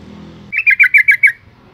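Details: Single rapid burst from a female yellow-vented bulbul calling to stimulate males: six quick harsh chirps, each dipping slightly, strung evenly over under a second, after a low murmuring background.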